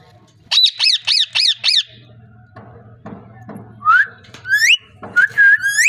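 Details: Pet parrot vocalizing: five rapid, harsh squawks in a quick burst, then soft mumbled talk-like syllables, followed by several sharp rising whistled calls sweeping upward.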